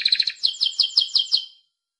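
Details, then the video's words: Timbrado canary singing: a quick metallic trill followed by a slower series of ringing, bell-like notes, about six, fading out into silence. "Canto Canario Timbrado"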